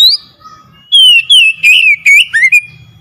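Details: Oriental magpie-robin song used to prompt a silent bird to sing: one high whistle, a short pause, then five loud, fluid whistled phrases in quick succession, the last dipping and rising.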